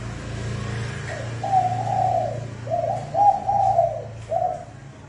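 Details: Spotted dove lure call in the rapid "thúc bổi" style for trapping: a run of soft, even coos in uneven bursts, with a quiet low hum underneath.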